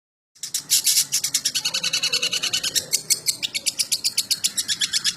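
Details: Long-tailed shrike singing an old-style 'materi jadul' song: after a brief silence, a fast run of sharp, high, buzzy notes repeated several times a second, steady and unbroken, with no other clear sounds.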